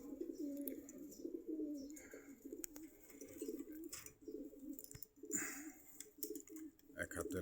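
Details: Many pigeons coo together at a market stall in Meradia bazar, Khilgaon, Dhaka. Overlapping low throaty coos run without a break, with clicks and rustles from handling and people nearby.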